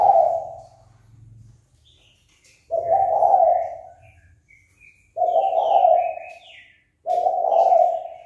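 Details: Spotted dove calling to provoke rivals into fighting: low, mellow coos, each about a second long, delivered in a slow series with pauses of one to two seconds. Faint higher chirps from other birds sound between the coos.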